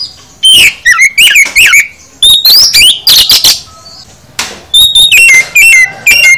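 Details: Kacer, the oriental magpie-robin, delivering full isian song to encourage other kacer: rapid, varied whistles, fast twisting trills and falling slurs, repeated in dense bursts with a short pause midway.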